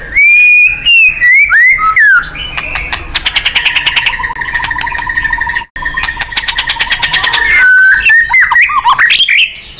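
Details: Master song of a White-rumped shama for training contest birds: loud slurred whistles, then a long rapid rattling trill of repeated notes for about five seconds, ending in twisting warbles.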